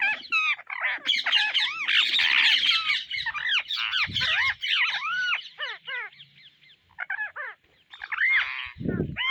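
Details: Harsh, overlapping arched screeches from Indian ringneck parrots seeking seeds build into a dense chorus, then become sparser, with a brief low rumble near the end.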